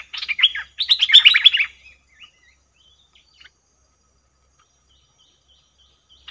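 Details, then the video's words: Cream-vented bulbul used as a trapping lure, 02/11/2021: a short burst of fast, bubbling chatter at the start, followed by near silence with a few faint distant notes. "Suara pikat merbah lekir"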